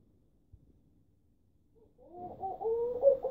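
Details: A laughing dove in Istanbul gives a soft, low, bubbling coo of quick rising and falling notes, starting after a quiet pause with faint background rustle.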